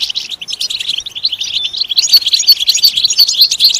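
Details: European goldfinch twittering song, quick chirpy notes at first, then a run of clear, ringing repeated notes roughly three per second in the second half; recording used to stimulate goldfinches to sing.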